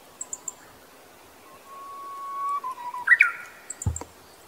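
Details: Japanese bush warbler in summer in a remote mountain setting in Kita-Harima, Hyogo, Japan, gives its echoing hoo-hokekyo song: a long, drawn-out low whistle, then a quick, bright flourish; faint high chirps from other birds and a soft thump follow.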